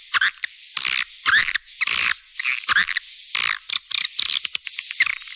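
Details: Swiftlet call aimed at pulling in young swiftlets: loud, buzzy chirp bursts about every half second to second over a persistent high, thin whistle.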